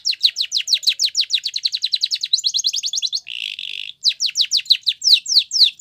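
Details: Champion Spanish Timbrado canary training song, delivered in a steady stream of very fast descending chips that speed into a rolling trill. A rasping buzz follows, then the bird returns to slower sweeping notes.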